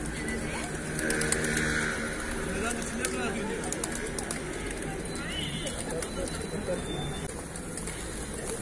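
A flock of pigeons makes low, overlapping cooing and murmuring, with a steady background hum and some voices.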